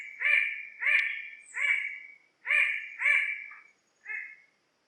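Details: Bird-of-paradise giving loud, raucous nasal calls, five close together and then a weaker final note after a short pause, each rich in harmonics with a downcurved shape.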